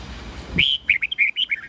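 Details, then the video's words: Morning song of a red-whiskered bulbul, 'old forest voice' style with 8 to 10 notes, for tutoring young birds: a long rising whistle opens a rapid run of about eight clear, warbling notes. "Luyện chào mào hót sáng GIỌNG GIÀ RỪNG âm 8-9-10 cực chuẩn"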